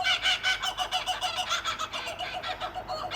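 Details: Two kookaburras calling at night on a street: loud, harsh, rhythmic cackling pulses that repeat rapidly and overlap in a continuous chorus.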